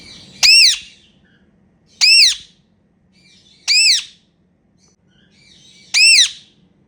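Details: Indian ringneck parakeets kept as pets, calling happily during playtime: four single piercing, down-curving screeches spaced about one and a half to two seconds apart over a faint indoor hum.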